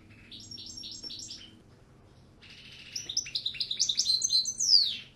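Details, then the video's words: Goldfinch song in two phrases: a short series of repeated chirping notes, a pause, then a louder rapid jangling twitter ending in a sharp downslurred whistle, over low background hum. "El Jilguero"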